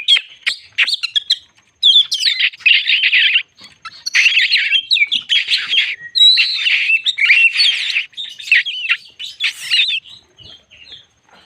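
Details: White-crowned shama in sustained, intense song aimed at provoking other birds: long dense passages of scratchy, buzzy warbling and mimicry-like chatter, with short clear whistles at the start and end.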